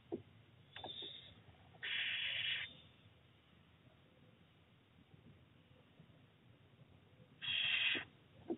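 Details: Little owl mother pushing a chick back into the nest box, 4 June 2023: two harsh, breathy hisses, each under a second long, about five seconds apart, with faint knocks and rustles in between.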